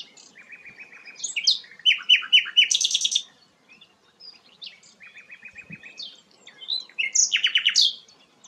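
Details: Sikatan londo flycatcher singing energetically: two similar phrases, each a steady buzzy trill followed by a quick series of sharp rising and falling chirps, separated by a short silence.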